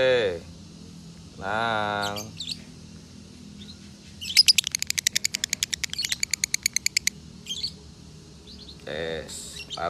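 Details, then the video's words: Lovebird with a 'konslet' style song, kept as a training tutor recording, from Salatiga; a fast run of sharp ticking chirps lasts about three seconds, framed by a few harmonic squawks and men calling out nearby. "Masteran Lovebird Konslet ASLI"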